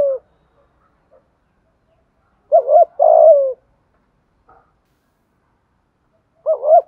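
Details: Spotted dove from Đồng Nai, cooing to draw wild doves in and set them cooing rapidly; after a brief tail note and silence, a phrase of two bouncing notes and a long downward-sliding coo, then another phrase begins.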